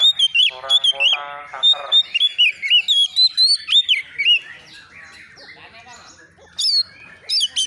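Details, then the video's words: Oriental magpie-robin stirred up and answering a rival, mixing harsh buzzy notes with a quick run of bent whistles, then a quieter stretch and a final burst of high whistles. "SEKETIKA ITU KACER BAKALAN LANGSUNG NYAUT EMOSI KONSLET!!!burung Kacer cari lawan"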